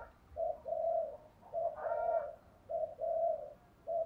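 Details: Female spotted dove, thúc gù coo, recorded faint against a hissy, noisy background: low mellow coos in pairs, one phrase with a brighter, stronger middle note, repeating about every second.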